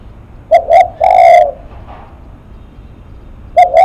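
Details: Spotted dove giving its 'lắc mặt' coo: two quick short coos lead into a longer, drawn-out hollow note, then a pause and two more brief coos, all low-pitched and clear over faint background hiss.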